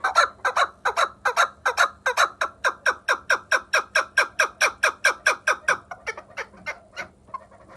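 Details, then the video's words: A Vanj chukar partridge in Tajikistan repeats loud, rasping chuck notes in an even rhythm, roughly two to three each second, then the series thins and fades toward the end, leaving faint softer notes. "Кабки Ванҷ"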